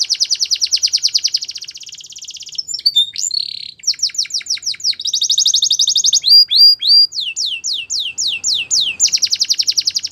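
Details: Continuous canary song opening with a long fast trill, then buzzy notes, runs of downslurred chirps, loud clear whistles and another rapid rolling trill; the singer varies tours steadily over ten seconds.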